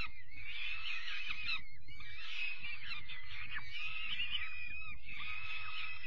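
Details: On 5 May 2021 young peregrine falcon chicks receive dinner, giving four rough, noisy screeching bursts of about a second each, separated by short pauses, over low rumble.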